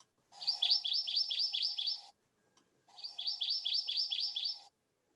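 Hawaiʻi ʻamakihi giving two high, rapid trills about two seconds long, each a run of roughly eight check-mark-shaped notes, separated by a brief pause.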